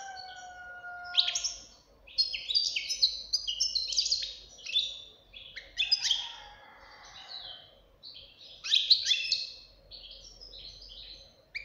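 A young European goldfinch sings a fast, tinkling run of liquid twitters and buzzy trills, high-pitched and in bursts about every two seconds.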